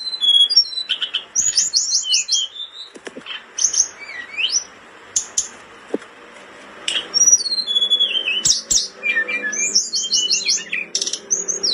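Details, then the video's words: Blood-breasted flowerpecker in breeding condition, singing intensely, used as a tutor recording: high, thin whistled notes, rapid ticking trills and quick downslurs in bursts, with brief pauses between phrases. "Tledekan gunung gacor ngamuk over birahi,terbaik buat masteran"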